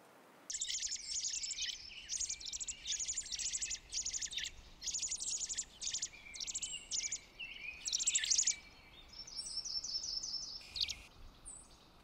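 American robin giving a quick run of bright, squeaky chirping phrases, each about half a second long and separated by brief pauses, over faint background hiss.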